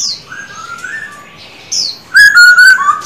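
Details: Caged male Silver-eared laughingthrush singing during daily vocal training: soft sliding whistles, then a loud, clear, ringing whistled phrase with rich overtones near the end.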